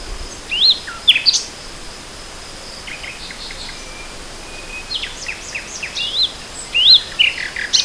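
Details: In spring 2014 a nightingale sings varied, loose phrases of high whistled slurs and short rising and falling notes, separated by brief quiet spells.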